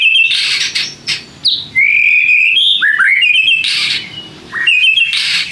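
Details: White-rumped shama song used as a lure to make other shamas respond: harsh buzzy bursts alternating with clear sliding whistles and dipping notes, continuous and loud.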